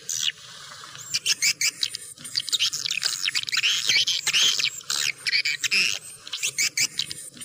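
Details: Swiftlet calls: a short quiet start, then rapid, dense, high chattering notes packed closely together for several seconds.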